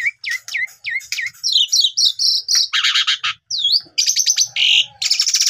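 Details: Asian pied starling sings a busy medley of sharp whistles, downslurred chips and harsh rattling bursts, delivered rapidly with hardly a pause; used as a lure to get a silent starling singing.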